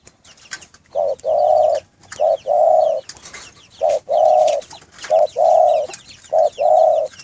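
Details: Caged spotted dove in a breeding enclosure cooing loudly: hollow low phrases of a short note then a long drawn coo, repeated about every 1.2 seconds, with high twittering from other small birds in the background.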